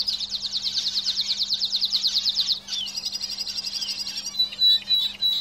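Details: Caged canaries in song: a fast, evenly pulsed high trill for over two seconds, then a thinner rattling phrase and a few sharp whistled notes, over a low steady hum.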